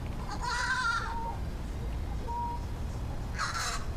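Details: A crow giving odd sounds during an investigation of warbles: a drawn-out, wavering harsh call, a faint thin note, then another harsh burst near the end, with low background hum.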